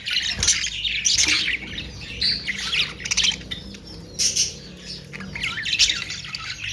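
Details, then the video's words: Budgerigars, called Australian parrots, calling together: dense, scratchy chattering and squawks with short bright chirps overlapping in bursts. "Austrailian perrot beautiful sound"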